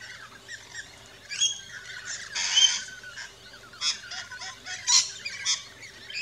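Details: At an Australian backyard feeding station, rainbow lorikeets let out short harsh squawk bursts roughly every second or two among softer chirps, over a faint low hum.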